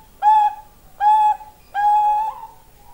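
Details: Bangkok-type zebra dove with a tired voice: three pure, level cooing whistles, the first two short and the third longer with a softer falling tail, in a quiet setting.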